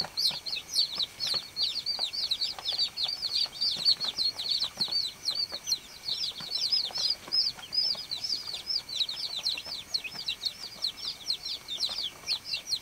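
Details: Chorus of baby chicks on a farm, peeping continuously: dense high, thin, slurred peeps from several birds packed closely together throughout, with light scratching and rustle in the background.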